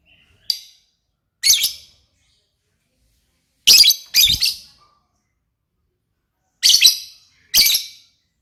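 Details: Lovebird making sharp, harsh, high chirps, singly and in pairs, with long quiet gaps between the bursts.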